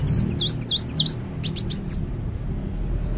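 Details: Lively kolibri wulung sunbird song: four bouncy V-shaped whistles repeated quickly, then a fast run of sharp high chips, ending in quiet with a low background hum.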